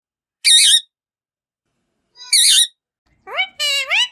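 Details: Pet ringneck parrots from a talking family kept at home, said to speak Urdu and Hindi; two harsh, high rasping screeches a second or more apart, then a sliding, wavering harmonic call in two parts.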